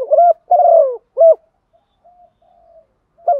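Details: A female spotted dove (Spilopelia chinensis) calls to attract males: soft, hollow coos, a quick pair of short coos, a longer falling coo, then another short one, with faint murmurs between.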